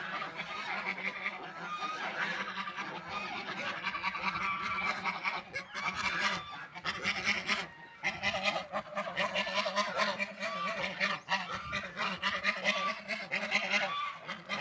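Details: A group of ducks at food and water, calling in a steady, crowded stream of rasping honks and nasal quacks with a short pause near eight seconds.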